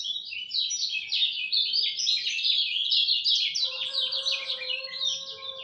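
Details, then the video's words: At dawn, a lemon-bellied white-eye pours out a fast, unbroken stream of high chirping notes that tumble up and down. A steady lower tone joins in the second half. "Kicau Joss Kecial Kuning Subuh"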